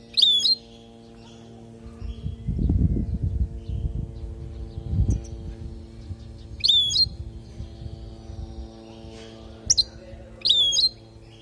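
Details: European goldfinch from Palestine, recorded as a teaching song for young goldfinches. Brief high twittering phrases with sharp rising flicks come at intervals, between bouts of low rumbling noise and a constant low hum.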